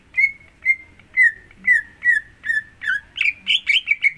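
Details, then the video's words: Greater green leafbird song meant to coax another leafbird to sing: steady, evenly spaced whistled notes, each dipping slightly, about two per second, growing louder and harsher toward the end. "Pancingan Untuk Cucak Hijau Agar Mau Bunyi"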